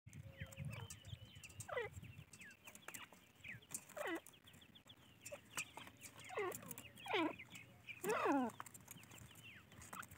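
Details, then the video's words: Francolin (teetar) chicks giving a busy series of thin, sharply falling peeps, several overlapping at once, with a few louder downslurred calls near the end over a low background hum. "teetar ke bacche | teatar chicks | francoline baby"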